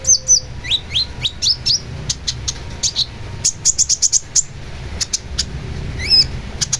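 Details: Long-tailed shrike song: varied sharp high whistled notes, some rising upslurs and quick twittering clusters, with pauses between phrases over a steady low hum.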